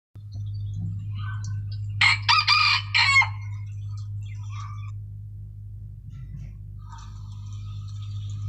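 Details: Decoy chicken used as a lure bird, giving one crow of three to four rough, harsh syllables. A steady low hum runs underneath, and faint bird notes sound before and after.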